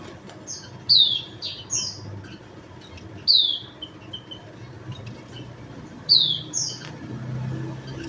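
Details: Javan munia giving thin, high, downslurred chirps in short clusters, loudest near one, three and six seconds, with softer echoing notes between; faint low background rumble.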